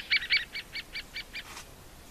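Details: Great spotted woodpecker making a rapid series of about seven short, nasal, high notes, roughly five per second. The first two are loudest, and the rest fade steadily, followed by a brief soft rustle.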